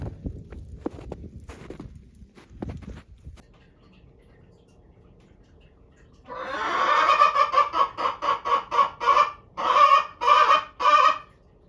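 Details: Araucana chickens kept at home, which use different calls in different situations. After about six seconds of faint rustling, loud harmonic clucks begin in a rhythmic run, roughly two per second, about a dozen in all, with brief gaps between bursts.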